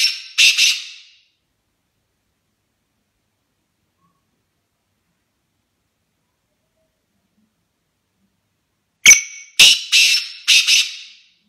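A Black francolin gives loud, harsh, grating notes in a short clipped series, repeated after a pause.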